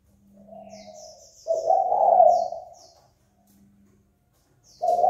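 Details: Spotted dove calling to provoke rival birds into fighting: a faint low coo, then a loud, rolling, slightly buzzy coo phrase lasting over a second, with a new phrase starting at the end; thin high chirps from other birds above.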